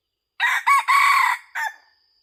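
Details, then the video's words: Loud crow of a red junglefowl used as a decoy in hunting, in four segments: a short opening note, a quick second syllable, a long drawn-out middle section and a brief final note, over a faint continuous high insect whine. "Hunting Red Jungle"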